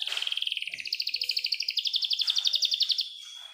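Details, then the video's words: Young canary song with a long clear roll: one continuous fast trill of evenly repeated high notes, about four per second, running over three seconds. "Pancingan Kenari Paud | Terapi AMPUH Kenari Macet bunyi | kenari gacor dor Roll panjang jernih"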